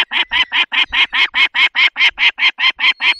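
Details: Barycz Valley, Poland, 20 May 2021, 10:22: a peregrine falcon at feeding time gives a steady, even series of harsh, nasal calls, about two or three each second, with no pauses.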